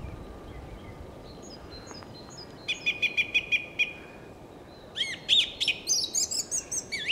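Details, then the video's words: Skylark in evening song on Ameland: faint high notes, then a steady series of short whistled notes about five per second, followed by louder, rapid, varied warbling phrases over a rushing wind and sea background. "het avond lied van de leeuwerik"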